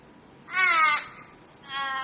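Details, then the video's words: A crow gives one loud, hoarse caw lasting half a second, followed after a short gap by a softer, trailing second caw; no other sounds stand out. "CROW CAWING"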